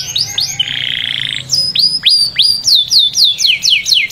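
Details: Canary singing a few rising-falling whistles, then a harsh buzzy roll, then a series of loud, sharply descending whistled notes repeated several times a second.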